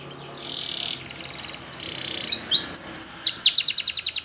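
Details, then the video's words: Belgian canary singing as a training example, starting soft with a buzzy note and faint trill, then swelling into loud clear whistles and a rapid bouncing trill at the end. "Belgian Canary Singing For Training"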